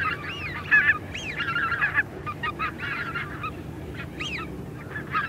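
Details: Greater white-fronted geese calling in flight, a small group: high, rising-and-falling yelping honks, some sliding upward sharply, tumbling over one another in irregular bursts.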